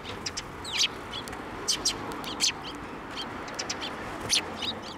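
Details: Sparrows flying in for food near a Tenmangu shrine in April 2024, giving clipped high chirps in loose clusters, a few birds calling at once, with soft background rumble.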